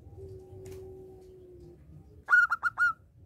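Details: Local zebra dove singing vigorously, its song used as a lure to stir other doves into singing; after a long low steady hum, one burst of four quick, ringing coos, each dipping at its start.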